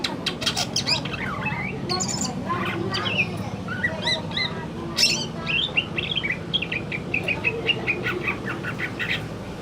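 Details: Male greater green leafbird singing in the afternoon: a lively, varied run of sharp chirps, quick upward and downward whistled sweeps and clipped twittering notes, delivered almost without pause, over a steady low background hum.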